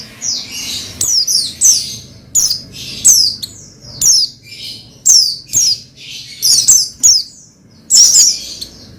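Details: Pleci (Oriental white-eye) song meant to excite another bird into singing: a busy run of shrill, sliding chirps, roughly forty per minute, irregularly spaced, with steady faint low background hum.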